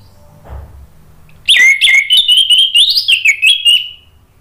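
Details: Lure song of an orange-headed thrush (anis merah), meant to draw a reply and steady singing from a stalled bird. A quick, run-on warble of bright whistled notes rises and falls for over two seconds.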